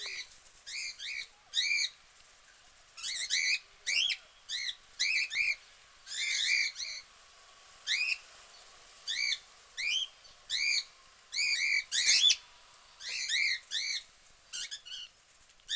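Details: Budgerigars in a cage give quick, bright upswept chirps, repeated in a lively stream with harmonics ringing above.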